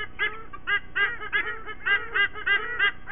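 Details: White-bellied sea eagle family at their Sydney Olympic Park nest, Australia, September 2023, singing in the morning, chicks joining the parents. Short bursts of loud cackling honks come in clusters with brief gaps between.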